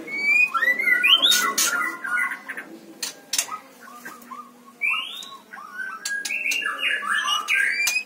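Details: Stone magpies raised at home on a farm squawk harshly and give rising whistled notes in quick, uneven bursts, several birds overlapping.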